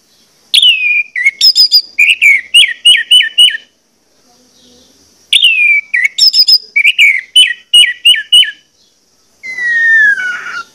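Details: Song of an orange-headed thrush, used as a lure to stimulate singing: two bursts of sweet whistled slurs and rapid repeated chips, separated by a short silence, ending in a long descending whistle.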